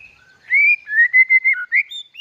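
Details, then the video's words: White-rumped shama, described as a lively singer, giving a short run of clear whistled notes, some rising and some slurred, delivered in quick succession with brief gaps between them. "murai batu dokor gacor"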